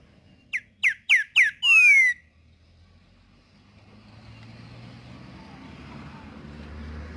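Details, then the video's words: Green-winged saltator singing in the wild in the 'tempera viola' song style: four quick, clear whistled notes slurring downward, then a long, bright descending whistle, followed by quiet background hum. "CANTO DO TRINCA FERRO TEMPERA VIOLA NA NATUREZA"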